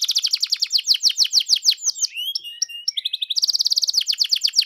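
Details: Canary song used as a lure to prompt a canary to answer and sing busily: rapid series of high downslurred notes, then short whistled and buzzy phrases and a fast rattling trill at the end.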